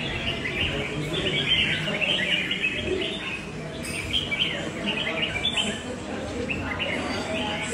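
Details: Red-whiskered bulbul delivering loud, long song in a contest style, with bright whistled and warbled notes in quick bursts and brief pauses, over a faint noisy background.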